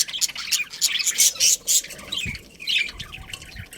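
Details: Breeding colony of budgerigars giving short, harsh, high squawks in quick bursts, several loud notes clustered in the first two seconds, then softer chatter and faint low thumps.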